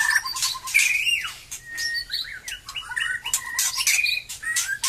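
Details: White-rumped shama freshly out of moult, its song picking up again; clear sustained whistles and sweeping slurred notes alternate with quick repeated chips and a short rolling trill.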